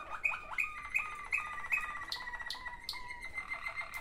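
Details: Two brother Waterslager canaries: a chain of clipped notes about three per second, each with a high sharp chip on top, over a low rolling undertone that drifts slightly downward.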